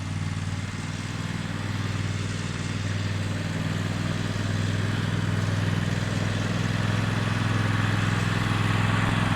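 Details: Steady rumble of a running motor vehicle engine, a low droning hum with a broad hiss above it and no animal calls.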